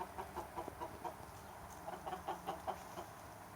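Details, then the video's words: Chickens and roosters in summertime clucking in soft, evenly spaced pulses, about five per second at times, over a faint steady hum. "Chickens and roosters enjoying summer time - Real chicken sound effect"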